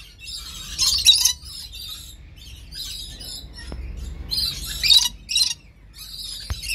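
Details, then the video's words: A breeder pair of red lories gives harsh, high, scratchy screeches and chatter in four uneven bursts, with short quiet gaps between them. "red lorikeet talking"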